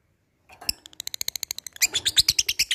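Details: Lovebird, fighter type, calling an opponent with ngetik ngekek song: after a brief silence, evenly spaced ticking notes speed into a louder, harsher run of bright high chattering notes.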